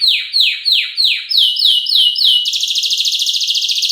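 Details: Canary female luring the male with vigorous isian-style song, a lure and tutor recording: six loud falling chirps spaced a third of a second apart, then a fast, even, high rattling trill.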